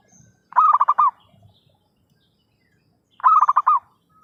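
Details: Two stuttering coo phrases from a zebra dove used as a trapping lure, each a rapid string of rounded, slightly rolling notes lasting about half a second, separated by quiet with faint rustles.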